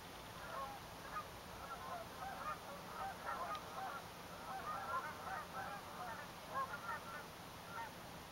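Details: Canada geese calling at sunrise in winter on Salt Spring Island, Canada, 2 February 2011: a dense chorus of overlapping distant honks running steadily through the clip over a constant hiss.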